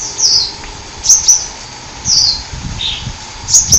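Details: Hummingbird singing in the forest: very high, thin twittering chirps in short bursts, with a double sharp note at the start and end and a brief lower buzzy note between.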